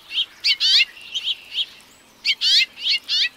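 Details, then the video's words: House finch giving short warbled notes and buzzy chirps with a quiet gap, then a fresh run of burry, twisting phrases over faint background hiss. "The Wonderful House Finch Song"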